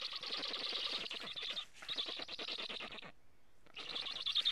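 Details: At an Estonian nest camera at 11:15 on 15 July 2017, black stork chicks begging and then defending the nest from a strange stork give a harsh, hissing chatter of rapid raspy pulses in two long bursts.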